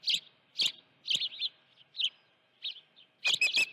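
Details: Osprey on the Dunrovin Ranch nest, 16 June 2019, live fish brought in: spaced shrill whistled chirps, some with a quick two-part twist, ending in a louder cluster of rapid calls.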